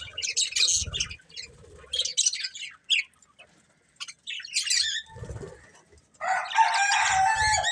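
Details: Breeding pair of budgerigars eating, giving bursts of bright, scratchy chirps separated by short pauses, ending in a sustained buzzy warble; soft low thumps underneath from pecking or movement.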